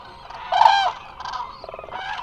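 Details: Eurasian crane flock at rest in the Hula Nature Reserve, Israel, from a remote live camera; one loud, rich, rolling trumpet call dominates the middle, with softer overlapping calls before and after.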